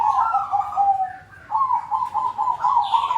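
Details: Zebra doves cooing together as a lure to start silent doves singing. Steady, rolling coos carry through, with a brief dip before a fresh run of quick, evenly pulsed notes.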